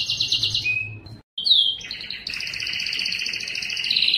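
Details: Belgian canary singing loudly to attract females for breeding; a high trill and short whistle, a brief pause, a rising swoop, then a sustained double-pitched rolling trill that swells toward the end.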